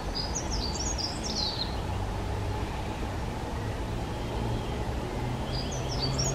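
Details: Eurasian treecreeper: a thin, high series of quick notes stepping downward, heard at the start and again briefly at the end, against a constant low hum.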